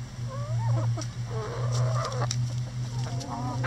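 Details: Backyard chickens pecking at a cabbage ball hung in their run for enrichment; soft rising chirps and short clucks sound over a steady low hum, with occasional sharp pecking taps.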